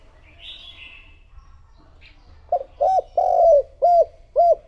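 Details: A higher bird chirp comes first, then a lure spotted dove calling wild doves in. It gives five rounded low coos in quick sequence, the middle one longer and falling at the end.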